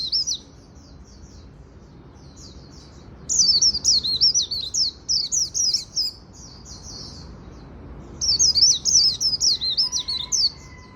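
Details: Japanese white-eye's afternoon líu song in three bursts: brief high twitters, then two longer runs of fast, squeaky warbling separated by pauses, with a faint steady tone late on.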